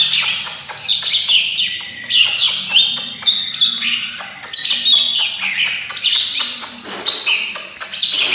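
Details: A Greater green leafbird in full, fluent song with many varied phrases pours out a fast, unbroken stream of bright whistles and chirps, changing pitch and phrase every half second or so, over a faint low hum.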